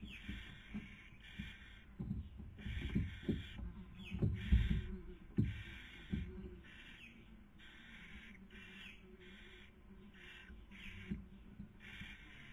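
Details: Barn owls at a nest webcam in Cabañeros National Park, Castilla-La Mancha, Spain, during the 2020 breeding season, female feeding while male tries to sleep; harsh hissing bursts about half a second long repeat steadily, with low thumps and knocks inside the box.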